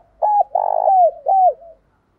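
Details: Close spotted dove lure call aimed at drawing wild doves in. One phrase: a clipped coo, a long rolling coo sliding down, and a falling last note that trails off softly.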